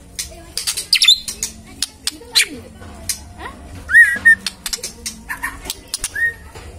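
A magpie-robin gives scattered clear whistles, one high and bright and others lower and slurred, between many sharp clicks and rustling knocks.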